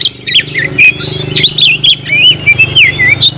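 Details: Oriental magpie-robin (kacer) giving clear, sweet whistled notes that slur up and down in quick succession, bright and loud, with a constant low-pitched hum in the background.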